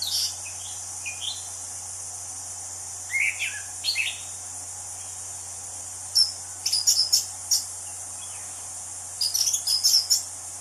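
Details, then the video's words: Wild orange-headed thrush song: scattered slurred whistles early on, then dense bursts of rapid sharp notes, with phrases coming roughly every three seconds. A steady shrill insect chorus plays throughout. "Kicau Anis Cendana Alam Liar"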